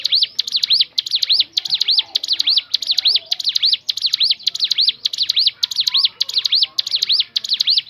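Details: Crescent-chested babbler, locally ciblek gunung, in its own natural song used for luring birds to sing: long, very regular series of high curling whistled notes in quick pairs, background quiet.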